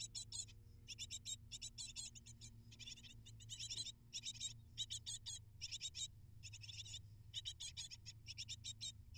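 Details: Hungry great tit nestlings, eight in all, begging as parents deliver food; repeated bursts of quick, high, buzzy chirps with brief pauses, faint low hum in the background.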